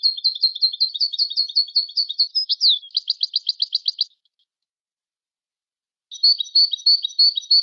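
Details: Moroccan goldfinch singing: a fast run of high, tinkling twittered notes, a brief downslurred note, then a rapid buzzy trill. A pause of about two seconds follows before the twittering resumes.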